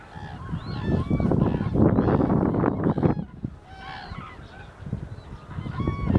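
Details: Common cranes in winter, on 1 February 2014, give loud, rolling, trumpeting calls from several birds that overlap irregularly, over a steady low rumble of wind or distant noise.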